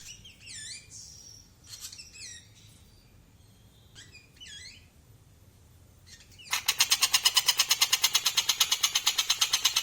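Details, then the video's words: Large black-winged myna giving short bursts of looping, whistled notes with sharp rising and falling inflections, repeated in groups about every two seconds. After six seconds a loud, rapid mechanical pulsing drowns the bird out. "Burung Tengkek Buto jumbo"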